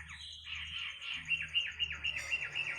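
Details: Melodious bird heard in the middle of the night, a sustained note flowing into a series of quick repeated dipping notes about four per second, with a faint high hum.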